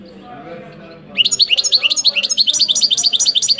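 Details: European goldfinch song: after a second of faint low background murmur, a fast, steady run of bright, high twittering notes, each sharply rising then dropping, repeated about eight times a second until the end.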